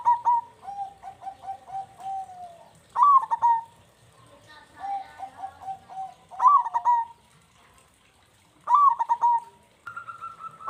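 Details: Local zebra dove used as a lure to prompt lazy birds to sing: phrases opening with a rising, bubbly coo, then a long even rattle of soft rolling notes, repeated about every three seconds with short pauses between.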